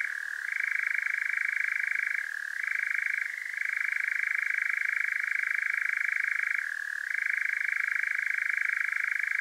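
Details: Wild European nightjar churring at night in Devon, South West England, captured by parabolic microphone on a Zoom H5. The unbroken, dry rattling trill runs throughout and dips in pitch three times before resuming, with no other clear sounds.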